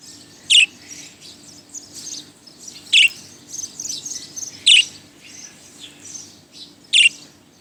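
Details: Budgerigar that flew in around noon to a tenth-floor office in Motijheel, Dhaka, gives four loud, sharp chirps about two seconds apart over steady soft warbling chatter, with a faint low hum beneath.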